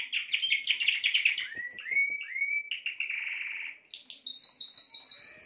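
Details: Song of a Spanish timbrado canary, opening with fast high chopped trills, then a few rising slurred whistles, a steady bell-like roll, and rapid high trills again at the close.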